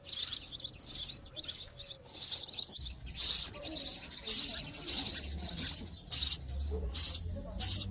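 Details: House sparrow giving bright, high chirps in an uneven run of short, harsh notes, with a faint low rumble in the background.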